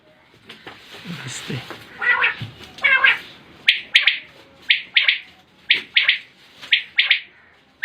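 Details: A man speaks briefly before a common quail takes over with a steady run of crisp three-note calls, each phrase snapped out about once a second.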